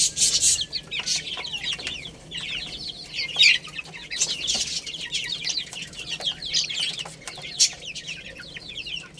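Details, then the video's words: Baby chickens playing and eating; a flock of chicks peeps constantly in high, short, downward-sliding chirps, overlapping in a busy chorus, with sharp tapping clicks from pecking and scratching. "Cute Little Chicks Chirping Sounds| Baby Chicken Playing and Eating"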